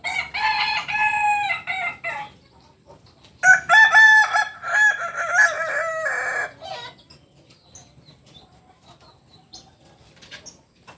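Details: Two long, tiered crows come from a native Kukuak Balenggek rooster of biriang kuniang colour from Solok, West Sumatra. Each is loud and harmonic, with many stepped segments. The crows are separated by a short pause, and quiet background follows.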